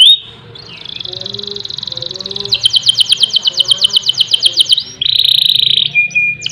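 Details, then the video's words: Singing canary, recorded as master and lure song for other canaries. A brief high whistle, a soft rising trill, then a long loud rapid roll and a steady buzzing high phrase, over faint low background hum. "Kenari Gacor Ngerol Nembak Mantap Buat Masteran dan Pancingan"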